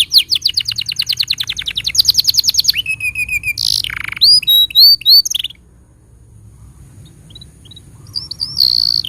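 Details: Canary tutor song for young birds and silent canaries: repeated quick downslurred notes speeding up, a brief low roll, bubbly looping phrases, then near silence before faint notes return.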